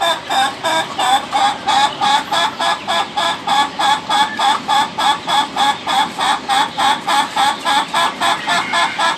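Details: Laughing chicken, the ayam ketawa breed, delivering a sustained stream of quick chuckling notes, roughly three per second, steady and regular over nine seconds, with a faint background hiss.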